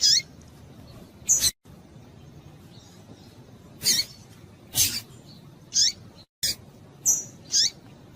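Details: A female double-collared seedeater in breeding condition calls to stimulate males. Several sharp, high notes slurring downward are scattered across the clip with loud broadband clicks and two brief dropouts. Faint softer chirps are heard between them.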